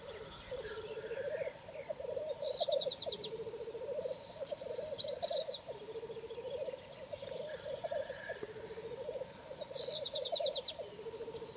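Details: Black grouse watched from a hide in the evening, around 9 pm: a continuous low bubbling, cooing warble rolls on in long rising-and-falling phrases throughout, with brief high chirping bursts and a steady background hum.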